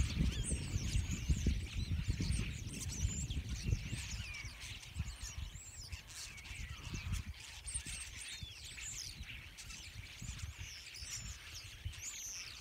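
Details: Hundreds of starlings gathered on wires in a field chatter in a dense, continuous mix of squeaky whistles, clicks and rising and falling notes, over a steady low rumble of wind or distant traffic.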